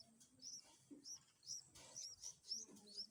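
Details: Bulbul chicks being fed by a parent: thin, high, squeaky chirps in quick irregular bursts, about two a second, with faint low murmurs and rustling behind.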